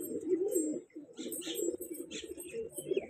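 Pigeons give low, throaty cooing in soft rolling bursts, with a few faint higher chirps and light background noise.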